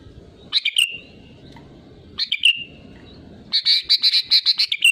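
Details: Vigorously singing sooty-headed bulbul, a lure to prompt other bulbuls to call: two brief liquid chirped phrases, then a fast run of about eight bright repeated notes, over faint low background hum.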